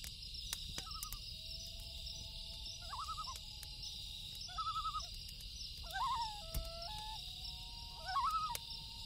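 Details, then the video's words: Loon calling at night: wavering, quavering phrases repeat about every one and a half to two seconds, linked by long steady hooting tones. A constant high insect chorus and sharp crackles from a campfire sound throughout. "Campfire Sound & Loon Call"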